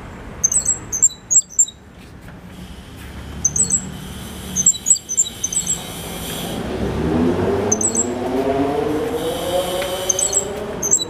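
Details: Young Cuban grassquit, five months old and kept by a breeder, giving high, thin twittering phrases in the silva australiano style. A rising, rumbling mechanical drone, like a passing train or engine, swells beneath the later phrases.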